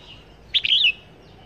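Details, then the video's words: Red-whiskered bulbul used as a decoy bird for trapping, giving a single short warbled phrase of bright chirping notes, rising then sliding down, over a quiet background. "Chim Chào Mào Mồi Bao Dẫn Đi Bẫy ( Test ) Trọng Chim Sâu Long Thành Treo Chỗ Nào Cũng Kêu"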